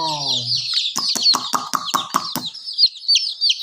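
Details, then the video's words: Chicken chicks peeping continuously in high, sliding chirps. A burst of about eight sharp, clucking pulses comes in quick succession, and a low voice is heard at the start. "Murgi baby chirping sound"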